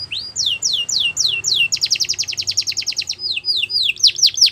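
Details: Belgian canary singing: a run of rising-falling whistled sweeps, then a fast trill of rapid repeated notes, then more slurred sweeping notes, all high-pitched and clear.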